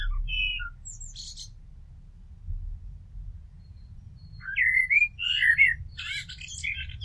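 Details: Common blackbird song: a brief whistled note and high squeaky twitter, a pause, then a flowing run of fluted warbles ending in scratchy high flourishes, with low background rumble.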